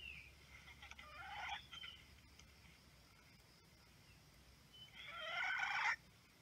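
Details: Two wild red junglefowl roosters crow very loudly before running into a fight, during trapping of wild chickens. Two harsh, raspy crows of about a second each, one early and one near the end, over steady background hiss.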